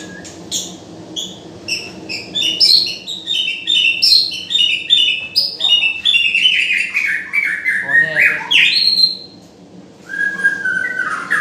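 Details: White-rumped shama (murai) singing a rich, varied song: rapid runs of clear whistled and chattering notes that step up and down in pitch, a brief pause, then lower fluting whistles.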